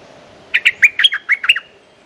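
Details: Territorial streak-eared bulbul, a male ready to fight, giving a quick phrase of seven bright, sharp chirped notes in just over one second, with clean silence around them.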